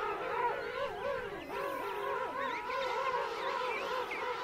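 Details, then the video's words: King penguin adults trumpet close-up in a colony of adults and chicks at Right Whale Bay: a dense chorus of overlapping wavering, harmonic calls rising and falling continuously, with no pause in the din. "King Penguin. CU Adults Calling. Colony Of Adults And Chicks."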